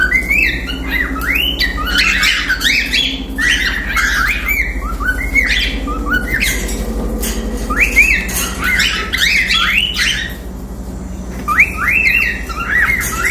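Cockatiels chatter in a flock, trading shrill, rising whistled notes that overlap and repeat rapidly.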